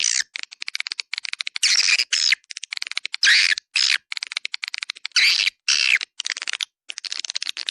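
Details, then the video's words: Swiftlet calling sound of the 'Dua Bidadari' type, used to attract swiftlets. Harsh buzzy chirrs and rattling clicks come in bursts of about half a second, with short gaps between them. "SUARA PANGGIL WALET DUA BIDADARI"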